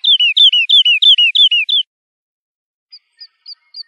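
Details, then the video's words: Lark song used to tutor chicks: six clear, loud, down-slurred whistles at a steady pace, then four faint, brief high peeps. "تغريد الولوال لتحفيظ الفراخ - chant d'alouette"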